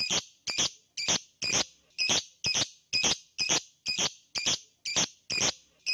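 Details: Loud lovebird vocalisation meant to prompt silent birds into long trilling song; harsh, high chirps come in a steady series, roughly two per second, each clipped and piercing, over a quiet background.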